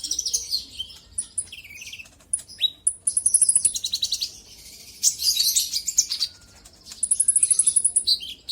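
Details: Sunbird (kolibri ninja) song used to stir a rival into singing. Rapid metallic trills on one high pitch, falling slurs and a dense jumbled twitter alternate with short gaps.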